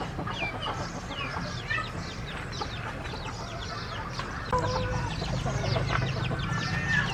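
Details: Chickens in a flock giving rapid, overlapping clucks and short squawks, many birds calling at once over a steady low hum.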